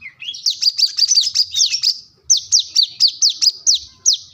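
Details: Plain-throated sunbird, known locally as kolibri kelapa, wiceh or manggar, singing energetically while seeking a rival: a quick run of sharp, high, down-slurred chirps, about four to five a second, with a brief pause midway.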